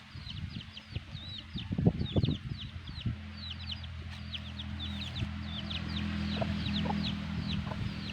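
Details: Black hen with her chicks: rapid high thin peeping from the chicks runs throughout, with the hen's low clucks in the first seconds, then a steady low hum in the background.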